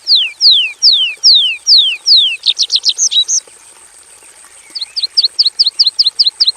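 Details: Javan bush lark in a simple aviary, singing with fill-in phrases: a row of long, clear downward-sweeping whistles, then a fast scratchy burst, a short pause, and a rapid string of short sharp notes.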